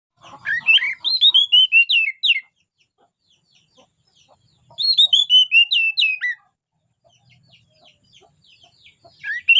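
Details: Oriental magpie-robin singing loud, clear whistled phrases. Each burst of about two seconds runs down in stepped notes, ends in sharp flicks, and repeats after a pause. Soft faint sounds are heard between phrases.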